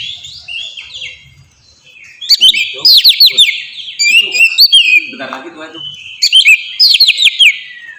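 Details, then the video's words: Oriental magpie-robin song meant to lure and train caged birds: a soft twittering start, then loud bursts of quick down-slurred whistles and chirps, with a brief lower rattling note midway. "suara burung kacer ngeplong merdu sangat ampuh buat pancingan kacer bahan bikin cepat gacor"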